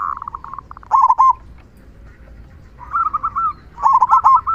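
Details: Loud "kung" song of a local zebra dove, used to prompt quiet doves into singing: four phrases of rapid, rolling, staccato coos, each about half a second long, separated by short pauses over a quiet background.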